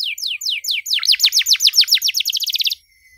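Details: Energetic canary song for young canaries learning to sing, with long bursts and elaborate phrasing: a run of steeply falling whistles speeds into a fast, even trill, then stops abruptly.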